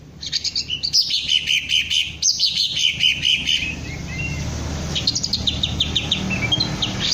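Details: Kept green leafbird (cucak ijo), trained to crest up and sing ngentrok: rapid chattering notes, then clear repeated whistles in a steady row, a quieter pause, and a fresh run of descending chirps over faint low hum.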